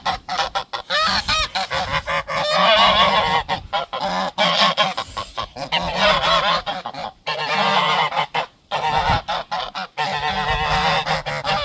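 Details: Geese defending their garden territory sound an alarm, a dense, overlapping clamor of raucous honks and rasping, hiss-like calls running almost continuously with short gaps.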